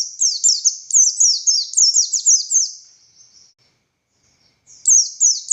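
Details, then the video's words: Buxtoni white-eye with rapid 'tembakan' song: a rattling series of shrill descending chirps for three seconds, fading out, a short silence, then the high chirping resumes. "Burung Pleci Buxtoni Gacor Konslet Full Tembakan Ngalas Ngotot Fighter"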